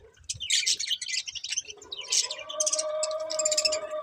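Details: Budgerigars of a breeding pair chattering in quick high scratchy bursts, then moving into a drawn-out warble with steady tones underneath the chatter.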